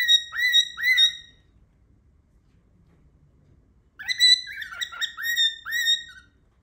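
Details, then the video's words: Loud cockatiel calls, which its owner hears as an attempt at saying a word: two sharp hooked whistles, a pause of about three seconds, then a quicker burst of four or five harmonic chirps and whistles. "Cocktails makes loud noises"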